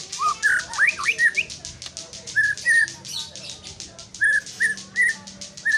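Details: White-rumped shama: a few quick rising whistles, then a clear short whistled note repeated at uneven intervals, over a steady rapid clicking background.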